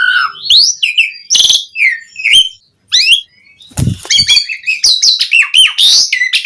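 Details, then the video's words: Energetic Javan pied starling song meant to prompt other starlings into singing, a dense jumble of rising whistles, rasping bursts and quick squeaky notes with one short pause midway. "Suara Kicau Jalak Suren Gacor Mompa buat Pancingan OCEHAN semua Burung Jalak Agar Gacor Full Isian"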